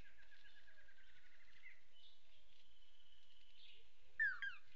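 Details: Lance-tailed manakins at a display perch on Isla Boca Brava, April: two males dancing for a visiting female. Calls are a rapid series of high rolling notes, then a long thin whistle, ending in a louder sharp burst of overlapping notes.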